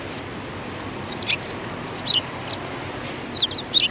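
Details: A group of sparrows greets someone outside a cultural hall, 7 February 2020: sharp, high, twittering chirps in quick bursts, some with little downward twists, several birds calling over a quiet outdoor hiss.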